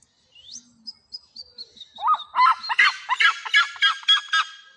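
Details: A handler whistles a few thin rising notes to prompt a captive red-legged seriema at Bridlington Animal Park, Yorkshire. The bird throws its head back and gives its loud alarm call, a harsh run of yelping notes about three a second that accelerates.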